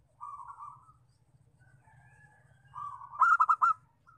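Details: Local zebra dove lure call used to attract wild doves: a soft, level coo, a quieter pause, then a longer coo breaking into a loud, rapid stutter of bright clipped notes.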